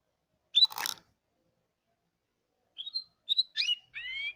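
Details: Canary of the Hipi type: a sharp rustling click, a pause, then a quick run of high twittering chirps ending in a slightly longer, level, whistled note.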